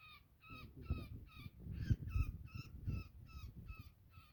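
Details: Woodpecker held fast in a net calling in distress: repeated harsh, buzzy notes about two per second, over rumbling and rustling from the hands freeing it.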